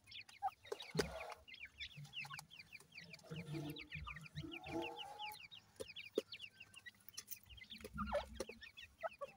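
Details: Captive grey francolin chicks offered for sale in Multan produce a steady chorus of short, high, downward-sliding cheeps, many birds calling at once, with occasional thuds and a low background hum.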